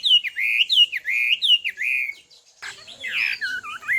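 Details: Female Chinese hwamei singing to stimulate a male to sing: clear whistled slurred phrases, each dipping then rising, repeated about every half second, followed by a brighter, more varied warbled run.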